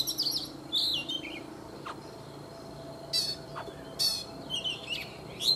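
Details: A caged, wild-caught Oriental magpie-robin, kept three seasons, sings in the morning with sparse high, sharp notes and short trills separated by pauses, against a low background hum.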